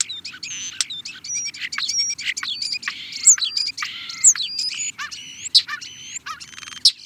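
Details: Song of a European starling, a busy jumble of rattling buzzes, clicks and slurred whistles, several high upslurred whistles repeated in turn, continuous squeaky chatter throughout, faint low hum behind.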